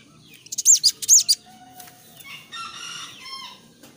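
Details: Young sooty-headed bulbul singing energetically in the clear, open ngeplong style: a burst of four loud, high, sharp chattering notes, a pause, then a lower, richer whistled phrase with layered overtones.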